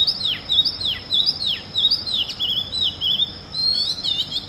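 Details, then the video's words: Oriental magpie-robin in early morning song: loud whistles that each end in a sharp downward swoop, repeated about every half second, then a quicker warbled phrase, with a constant thin high drone behind. "Music of the Oriental Magpie Robin Copsychus saularis - sighting and call"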